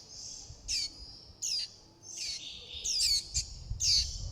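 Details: Young warbling white-eyes beg for food and call to the flock with high, thin descending squeaks, some doubled, given irregularly over a low background murmur.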